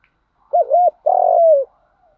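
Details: Spotted dove cooing, used as a lure to train decoy birds to coo: a wavering double-arched note, then a long, slightly falling coo, all low and soft.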